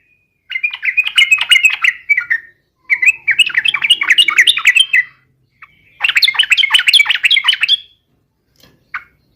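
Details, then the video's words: Vigorous 'gacor garuda' singing of a yellow-vented bulbul, played as a lure to get other bulbuls to reply: three bursts of rapid, warbling chatter, each about two seconds long, split by silences, with a brief final note. "SUARA trucukan gacor garuda pancingan trucukan agar cepat gacor"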